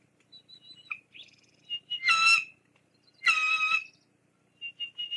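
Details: Bald eagles at the Fraser Point nest, filmed by live cam in 2022, as the female drives the male away after he delivers a fish, chicks present. Two loud, harsh squealing bursts, each about half a second, with faint high chirps before and after.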